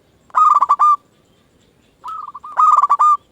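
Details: Zebra dove of a local type singing to provoke answers from other doves: a loud pulsed rolling coo, a brief pause, then a softer stuttering phrase running straight into another loud rolling coo.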